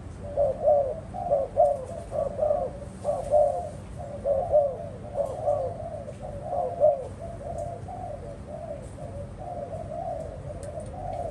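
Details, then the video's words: Spotted dove giving low, soft coos in repeated bursts, about one per second for the first seven seconds, then fainter and more blurred, with a constant low rumble behind. "#dove #spotteddove"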